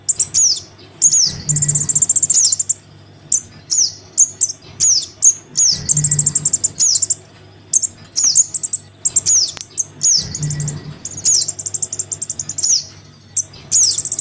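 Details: Young Crimson sunbird begging for its parent, used to lure wild sunbirds: a looping sequence of very high ticking trills, sharp falling squeaks and buzzy chatters repeating about every four seconds, over a low steady hum.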